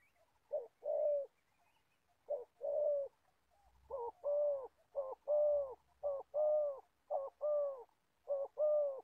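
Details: Decoy spotted dove, an old bird used to lure wild doves in Gia Lai, starts with spaced short-long coo pairs and then speeds into a rapid string of paired coos.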